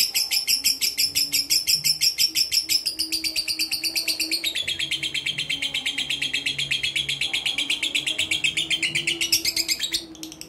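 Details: Caged fighter lovebird of mentil character, a competition bird kept uncovered, pours out a long unbroken stream of shrill, rapid chattering chirps, roughly ten pulses a second, pitch sliding gently down midway, with a faint low hum behind.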